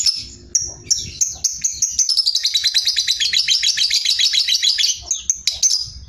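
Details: Ngekek-style song of a Sooty-headed bulbul, a master recording for songbird contests: a few sharp high chirps open into a long, fast, buzzy chatter of tightly packed notes, with scattered sharp notes closing the phrase.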